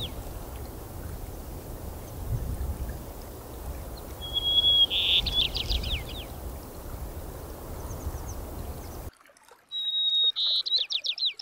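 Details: At a Colorado campsite after rain, a white-crowned sparrow feeding on seed gives a clear whistled opening note followed by a buzzy trill and descending chatter, heard twice over steady rushing water.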